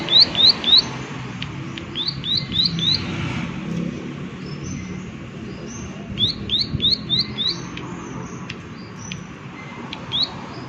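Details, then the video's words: High, snappy clicking notes from a prinia, delivered in quick clusters of three or four separated by gaps, with some thinner distant chirps mixed in against a constant outdoor murmur. "Prenjak Klik Klik Gacor Suara Alam Dan Isian || Prenjak Klik Klik Pasti Nyaut"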